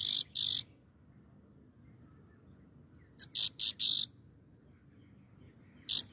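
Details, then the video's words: Grey-crowned goldfinch singing: short harsh, buzzy high bursts in sparse groups, a pair at the start, a quick run of four about three seconds later, then a single burst at the end, over a quiet low hum. "The singing goldfinch is the best"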